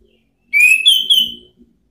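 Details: Rival-calling ngeplong song of an orange-headed thrush: a rising whistle followed by two higher, level whistled notes, all smooth and clear, roughly one second long in a quiet setting.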